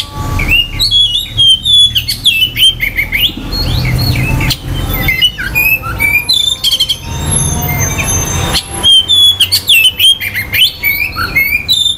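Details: Long, varied Oriental magpie-robin song intended to rouse other birds' aggression and mating urge: repeated bursts of loud clear whistles, rapid chatter and squawky notes, separated by short pauses with a steady low rumble beneath.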